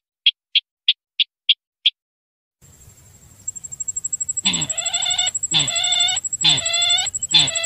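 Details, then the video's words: Sintar calling as a bird lure: a quick series of six dry ticks, a pause, then rough buzzy calls rich in overtones, repeated about once a second alongside a continuous thin high-pitched hum. "suara pemanggil burung sintar"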